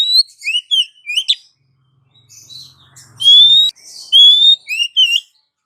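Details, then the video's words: Female Oriental magpie-robin calling for the male, giving quick whistled and upslurred notes, a pause with a faint low hum, then loud sustained clear whistles and twisting trills. "SUARA KACER BETINA MEMANGGIL KACER JANTAN"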